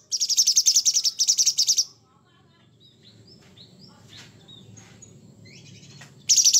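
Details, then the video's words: Sooty-headed bulbul in full, lively voice, giving its rough 'materi kasar' material: two rapid buzzy pulsed bursts of about a second each, then a quiet stretch with faint distant chirps, and another harsh burst at the end. "Suara Asli Cucak Cungkok Gacor Materi Kasar"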